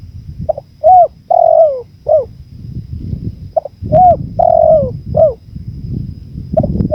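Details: Spotted dove cooing on a 2024 training recording blended with natural wind sound: short mellow coos and longer drawn notes that bend downward, given in irregular bursts over a low rumbling wind background.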